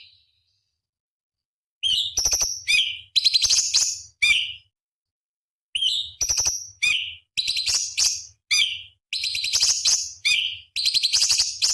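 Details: Master song of a cucak cungkok bulbul for contest birds: varied phrases of whistled, slurred notes mixed with fast buzzy chatter, a pause, then a longer energetic run.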